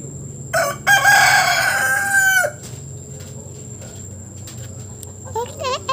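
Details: Rooster perched on top of a roof gives one long, loud, harmonic crow lasting about a second and a half, followed near the end by a few short rising calls, over a low hum and a steady high whine.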